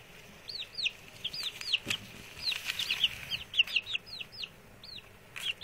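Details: Six newly arrived male chicks, settled in and chatty, give high descending peeps in quick irregular bursts, each a short downward-curving note, some overlapping, with light clicks and rustling between.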